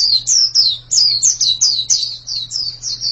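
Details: White-eye delivering clear, high downward-slurred whistles at a slightly slower, uneven pace, roughly a dozen notes, with a soft steady hum in the background.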